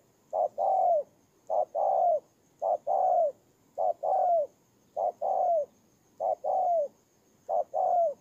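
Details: Spotted dove kept as a ground decoy, Tumorong, Kon Tum, Vietnam, 23 September 2018; seven regular two-part coos, short then long and falling, over a faint background hiss.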